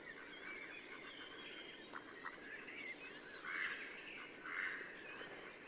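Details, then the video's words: Female mallard (Anas platyrhynchos) gives a few harsh, raspy quacks, two louder ones close together near the end, over a steady hiss, during spring courtship at sunset near Yelno village, Novgorod oblast, Russia, 8 April 2015. "Свадьбы (голоса) крякв Anas platyrhynchos"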